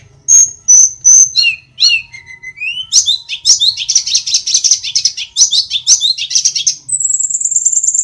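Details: A wild-origin tledekan gunung (sulingan) from Kokap, Kulon Progo, Yogyakarta, a small songbird that mimics other calls, sings lively: clear high whistles, quick slurred sweeps and rapid chattering trills, ending on a thin sustained high whistle.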